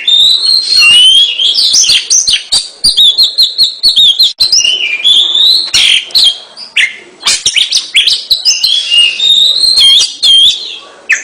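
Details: Kacer, the Oriental magpie-robin, singing nonstop in 'gacor' fashion: a long, dense stream of rich whistles, clicks and rapid chattering notes that shifts pitch constantly, with barely any pause over eleven seconds.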